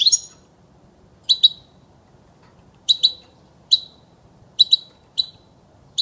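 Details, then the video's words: European goldfinch, a recording used to train young birds to sing: short, sharp, high chirps, often paired, given at irregular intervals of about one second over a quiet, faint background hiss. "صوت الحسون الاصلي خالي من الاخطاء لتسميع الحسون وتعليم الفراخ"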